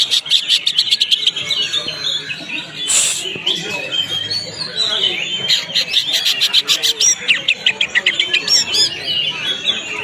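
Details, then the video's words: Greater green leafbird song used for training: a dense, varied stream of whistles and chattering notes, with rapid ticking runs and fast buzzy trills. "masteran cucak ijo prospek"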